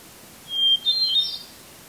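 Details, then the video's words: Wild hermit thrush in a red pine tree at Eustis, Maine, July 18, 2020, near sunset: one brief song phrase, a pure held whistle, a momentary break, then a rapid, bright, tumbling series of higher ringing notes. "Hermit Thrush 🎶🐦 Singing in a Red Pine Tree in Eustis ⛰ Maine 🌲"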